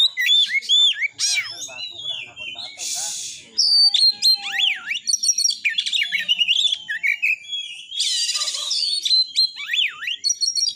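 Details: White-rumped shama (kacer) singing a dense, varied song of rapid whistled slurs, sharp rising and falling notes and harsh buzzy bursts, used to provoke shamas to sing and fight.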